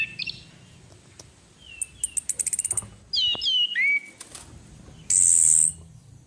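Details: Lure sound of a female orange-headed thrush: a rapid run of about ten sharp ticking notes, then looping whistled slurs falling and rising, and a long bright high hiss after a pause.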